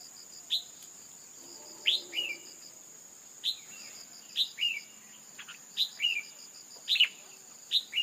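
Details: Female red-whiskered bulbul calling to prompt a male to sing hard: quick bright chirps, some rising and some slurred downward, given singly or in pairs every second or so, with a steady high electronic whine and a brief low murmur behind.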